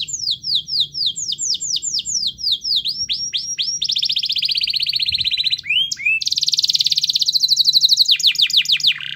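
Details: Canary song used to make a silent canary start singing: series of descending whistled notes, then long dense rolling trills with a short swooping phrase between.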